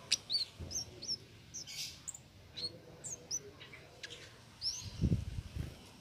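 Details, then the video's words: Singing without pause, a cit keres gives scattered high, thin upslurred chirps and brief squeaks, used as a master recording for songbirds, with a few low thumps near the end. "Cit Keres Nembak Buat Masteran"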